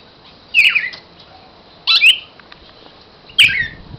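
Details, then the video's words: A cardinal held in the hand gives three harsh, squawky notes about one and a half seconds apart, each a brief scratchy burst against a quiet background. "cardenal cantando en la mano"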